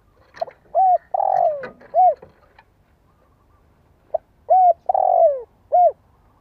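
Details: Spotted dove lure bird with a strong voice, played so young birds learn to coo: two phrases of soft clicks, a short coo, a long descending buzzy coo and a last arched coo, with a pause between.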